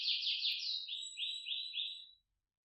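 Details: Canary singing a short buzzy trill of linked notes that steps slightly downward in pitch, then breaks off into silence.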